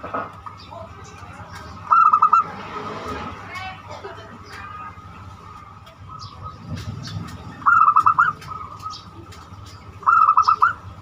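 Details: Zebra dove in the banyumili song style, used to lure other doves into song: three short bursts of fast, pulsed cooing notes spaced several seconds apart, with voices and passing traffic in the background.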